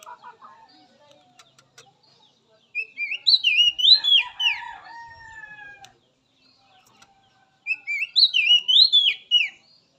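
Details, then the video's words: Wild Oriental magpie-robin song, played as therapy to get untrained, young spotted or silent captive birds singing. Two bursts of loud, high whistled notes, sweeping up and down and rapidly repeated, split by a pause, with faint chirps at the start. "Suara Khas Kacer Alam"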